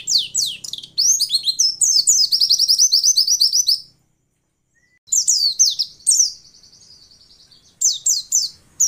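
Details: A female white-eye's song, used to provoke male white-eyes into singing quickly as in the wild: rapid, high, tumbling chirps and thin sweet trills in bursts, broken by a brief pause.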